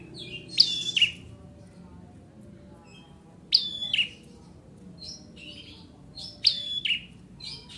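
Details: Ciblek merah, the bar-winged prinia, in lively song: bursts of shrill, high chirps ending in a falling slur, about every three seconds, with quiet gaps and low background rumble.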